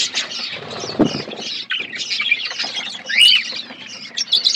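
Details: Budgerigars in an outdoor aviary chattering, with a sharp flutter of wings near the start; ongoing buzzy, scratchy chirps and a clear rising-falling whistle near the end.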